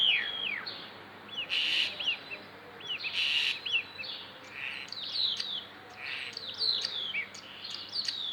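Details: Starling said to copy chicken sounds, delivering a busy medley of quick downslurred chirps, whistles and two harsh rasping bursts, with notes tumbling roughly every half second and a faint low hum underneath.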